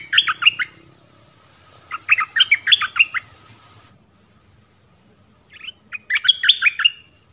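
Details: Mate-calling nok dok taeng decoy bird in a forest, 13 January 2021, delivering three bursts of quick, sharp, twittering chirps with short silences between, over faint low background noise.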